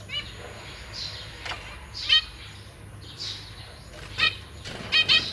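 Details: Parent zebra finches feed newly hatched babies and three juveniles inside a big cage. Soft nasal calls give way to louder paired buzzy notes near the end, separated by short quiet gaps.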